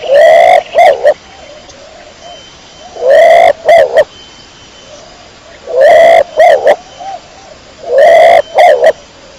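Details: Kecor domestic pigeon repeating its loud coo phrase four times, roughly every two and a half seconds, each a long coo plus two short notes, gentle quieter coos in between.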